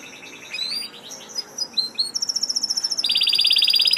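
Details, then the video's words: Canary song that starts soft and jumbled, then grows into a thin high trill and ends in a loud, rapid pulsing roll. "kenari gacor"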